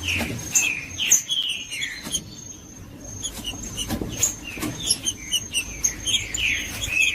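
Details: Judas-style song of a green-winged saltator, meant to spur other saltators into singing: repeated loud whistled phrases, each note gliding downward, in clusters at the start and end with clicks and a quieter gap between, plus a constant high whine.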